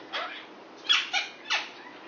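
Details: A male Indian ringneck parakeet, six years old and kept as a pet, flirts with a female Quaker parrot. Three short, harsh, nasal squawks are spaced a fraction of a second apart.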